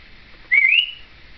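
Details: Seven-year-old female Timneh African grey parrot, a pet chattering along with her caregiver indoors in 2012, gives one short clear whistle that slides up and levels off, lasting under half a second, against a quiet room.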